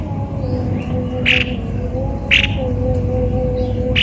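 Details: Three loud grating squawks from a cucak kopi-kopi, a bird described as odd-sounding, about one second apart, over a steady tonal drone and low hum.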